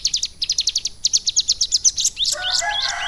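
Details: Caged Bar-winged Prinia, kept and trained for about three months to sing lovebird-style phrases, gives a fast run of high rising chirps for two seconds, then breaks into a tumbling warble that dips to lower notes.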